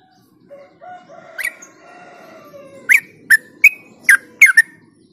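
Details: Trucuk ropel song used as a lure for other bulbuls: it opens with faint, low whistled phrases, then a series of five or six loud, crisp chirps at a steady quick pace.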